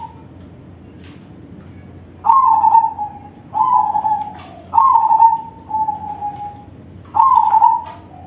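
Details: Big-voiced crossbred zebra dove performing its song as a lure for other doves: five rippling coo phrases, each with a sharp start and a gently falling trilled tail, spaced roughly a second apart.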